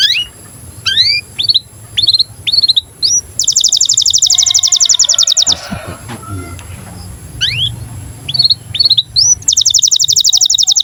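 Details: Canary in breeding condition singing a lesson for young canaries: rising chirps lead into a long, dense, even trill. A brief rustling noise interrupts, then more chirps and another fast rolling trill.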